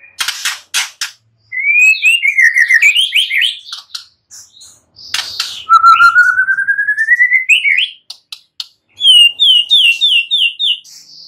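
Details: White-rumped shama pouring out a varied song: clicks, a slurred whistled run, a long rising trill climbing steadily, then a quick series of repeated bright notes.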